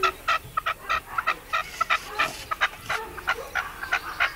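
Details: A male decoy partridge in León, Spain, 2012, gives harsh, chuffing notes in quick, uneven bursts, about one or two each second.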